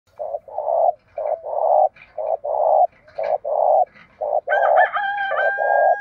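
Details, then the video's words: Spotted dove decoy birds, male and female, cooing to provoke wild doves to fight and lure them in: a fast run of low, hollow, throaty coos in short bursts, with a few clear higher whistled tones near the end. "tiếng chim cu gáy mồi thúc đấu và gáy gọi bổi rất nhanh về cội khi nghe giọng gáy này"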